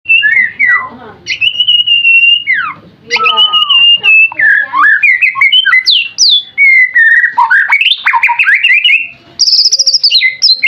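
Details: White-rumped shama singing a competition song filled with imitations of the Cililin bird: a long, varied stream of loud whistles, slurs and sweeps, sustained notes alternating with rapid twittering passages.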